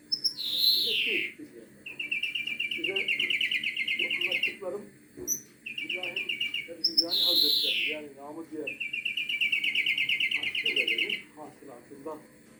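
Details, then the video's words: European greenfinch (flurya) singing: loud nasal wheezes that slide downward alternate with long rapid metallic trills repeated several times, over faint low chatter in the background. "Flurya Kuşu Ötümü"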